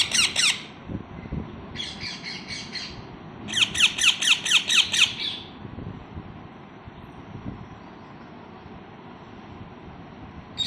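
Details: Young parrots chirp in scratchy, rapidly repeated bursts: a brief opening flurry, a softer cluster near two seconds, then a strong run of about eight notes before long quiet with faint room hum.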